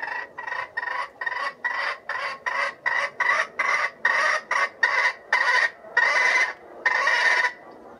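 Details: Stuttering crow of a red junglefowl bait bird in a trap, sounding like grinding: a long chain of harsh, buzzy pulses that start short and stretch into longer rasping notes toward the end.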